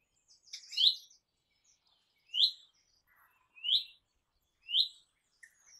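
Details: Crimson rosella, a parrot of eastern and south eastern Australia, giving clear whistled notes, each a bright rising-then-falling tone, repeated roughly every 1.2 seconds, four or five times, in quiet surroundings.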